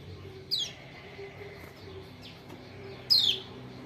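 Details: White-eye, known locally as kecial kuning or pleci Lombok, calling as a lure to provoke a reluctant bird into singing: two thin, high, sharply descending notes about two and a half seconds apart over a faint low hum.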